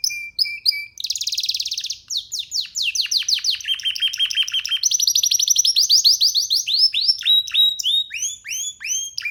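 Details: Young canary singing freely while sitting on a person's hand, a varied stream of rapid rattling trills, fast descending whistled sweeps and repeated bright chirped notes, loud and continuous.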